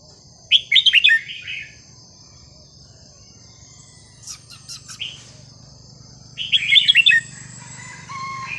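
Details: Red-whiskered bulbul singing a sweet, varied, non-repeating song phrase played to teach young birds: a bright burst of quick warbled notes, a pause with faint higher chirps, then another rich burst, over a low steady hum.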